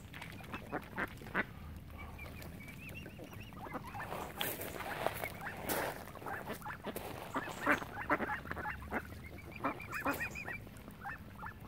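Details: On Lough Neagh at Oxford Island, Ireland, ducks surround a family of swans; steady mixed chatter of quacks and honks from many birds, with brief wavering whistled calls at intervals.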